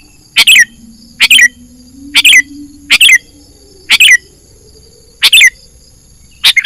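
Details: Used to lure wild birds into traps, a sooty-headed bulbul gives short chirpy two- and three-note phrases with a downward whistle, about one per second, over a faint low hum and high hiss.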